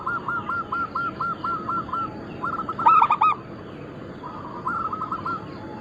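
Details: Local zebra doves of the Bangkok crossing type, many calling together. A long series of quick, evenly spaced coo notes leads into a single loud, stuttering phrase, then softer cooing resumes.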